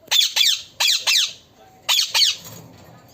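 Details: Harsh paired screeches from a talking parrot, loud and descending, come in three quick pairs, followed by quiet background rustling.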